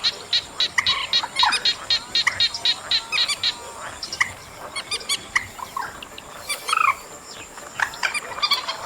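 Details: Chestnut munia in August: a fast stuttering series of sharp chattering notes at the start, then sparser slurred calls and one louder rising note, steady hiss beneath.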